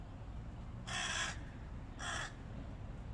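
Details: Hooded crows in a flock battling a stray cat: two harsh, broadband caws about a second apart, each roughly half a second long, over steady low background rumble.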